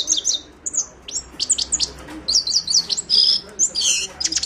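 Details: Energetic twittering from a Himalayan goldfinch, Carduelis caniceps: rapid high chirps and short buzzy trills running almost without pause.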